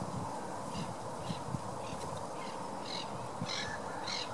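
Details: Displaying Black-headed Gulls at Gosforth give harsh, rasping calls in bursts about every half second, over a steady low rumble of background noise.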